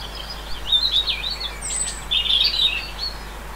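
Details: Great tit showing albinism, countryside of central France, 10 March 2020; two bursts of sharp, high chattering chirps about a second apart, with a brief thin whistle between, over faint low background noise.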